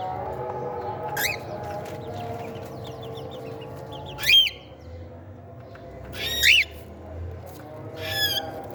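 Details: At meal time, cockatiel chicks give repeated shrill rising squawks, some doubled, loudest near the middle and end, with quieter chirps between them over a low droning background.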